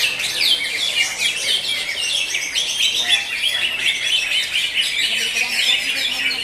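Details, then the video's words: At a songbird contest in Tangsel, greater green leafbirds in session 5 pour out a continuous, crowded stream of high chattering notes, quick trills and slurred whistles layered over each other, with a faint background murmur. "CUCAK HIJAU"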